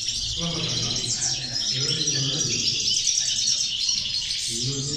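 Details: Strong European goldfinch song within a six-batch 'corona de caderneras': rapid liquid twitters and jingling notes pour out steadily at high pitch, with some low murmuring beneath.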